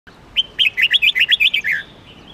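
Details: Red-whiskered bulbul singing a single bright phrase of about eight rapid whistled notes that bounce up and down, ending in a lower slurred note, against a quiet background.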